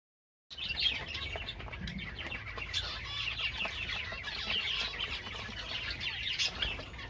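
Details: Java sparrows singing: after a half-second of silence, a dense, steady chatter of high, thin chirps and trills, with scattered sharp clicks over a low background hum.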